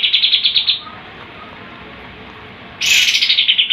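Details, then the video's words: Sooty-headed bulbul (kapas tembak) singing in the rapid 'tembakan' style: a fast machine-gun string of sharp, bright notes, then a pause and a second, louder burst of the same rattling repeated notes. "KAPAS TEMBAK GACOR, GURU VOKAL TEMBAKAN JUARA."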